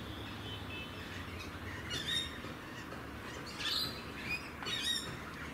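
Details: Rainbow lorikeets in Australia give three brief, harsh, high screeches about a second apart over a steady rushing background hiss.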